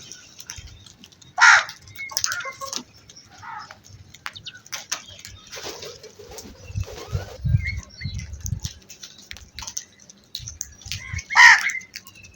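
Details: Crow calling with two short, harsh caws about ten seconds apart, separated by a quieter stretch of scattered rustling and low noise.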